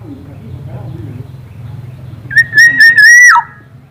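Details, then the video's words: A local Black-naped oriole from East Java, known for many melodious song variations, gives a strong, pure, warbling whistle held about a second before falling sharply, following a quiet stretch with low background hum. "KEPODANG LOKAL JAWA GACOR VARIASI BUNYI BANYAK"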